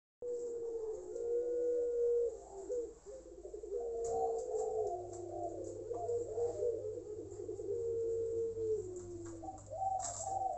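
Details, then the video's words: A Barbary dove, a long-voiced ringed bird, gives low, hollow, drawn-out coos in long rolling phrases, repeated over and over, against a steady low indoor hum. "Puter Pelung Suara Ngguguk"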